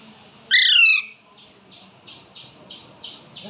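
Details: A two-month-old Alexandrine parakeet gives one loud, harsh, falling screech lasting half a second, then a run of soft, raspy chirps repeated about every third of a second.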